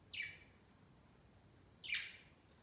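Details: Pet budgerigars celebrating their first Christmas by flocking on a Christmas tree next to their cage; two bright, scratchy chirps sliding downward, nearly two seconds apart, in a quiet room.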